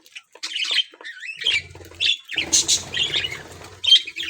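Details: Australian parrots, budgerigars, in a cage aviary while playing and eating: sharp squawks and rising chirps in quick clusters, with a faint low hum beneath.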